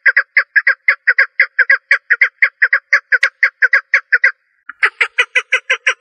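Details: Hen partridge calls: a long regular series of hoarse clucking notes in singles and pairs, a brief pause near four seconds, then the raspy series resumes louder.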